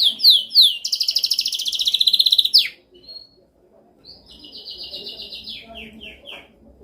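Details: Canary singing a dominant song used for training birds: quick descending sweeps, then a fast buzzy trill held for about two seconds, a pause with a thin whistle, then another sustained trill that ends in falling chirps.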